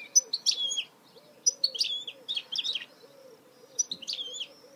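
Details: Goldfinch hybrid (mule) singing in quick twittering bursts of sharp chirps and short liquid slurred notes, phrases separated by brief pauses, over a steady low pulsing hum in the background.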